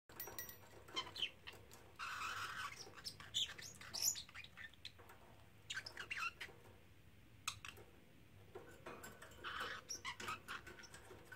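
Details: Three-month-old male pet parrotlet repeating learned phrases such as "Silly Birdie Bird" and "Do You Want to Come Out"; short chirpy, scratchy bursts of mimicked speech with quiet pauses between, plus light clicks and a faint room hum.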